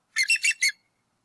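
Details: Bald eagle parent at a nest in northwest Georgia, spring 2018, calling during an intruder chase; four quick, loud, harsh piping notes in a tight burst lasting under a second.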